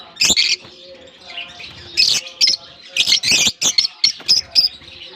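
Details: Group of lovebirds newly let into their colony in Germany for the summer season; piercing, scratchy chirps repeated in rapid irregular bursts from several birds, with soft background murmur.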